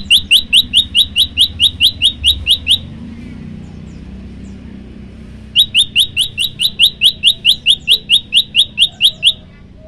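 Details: Prinia song in two bursts of rapid, even, sharp high chirps, each burst about three seconds long, separated by a quiet gap with faint low background rumble.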